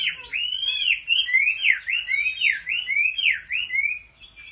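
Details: Chinese hwamei kept at home for competition singing: loud, clear whistled notes that swoop down and up in a V shape, repeated more than once a second in an unhurried series.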